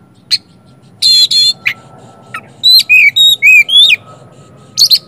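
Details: Magpie-robin lure song to coax silent birds into answering: harsh double buzz, scattered chips, then a tight series of about six ringing whistled notes alternating in pitch, ending in a short chatter.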